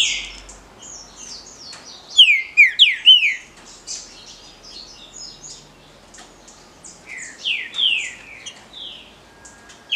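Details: A green-winged saltator sings the Paraná liso batido style, with a fast cluster of bright, descending whistles around second two, a second set of falling whistles later, and soft chips between.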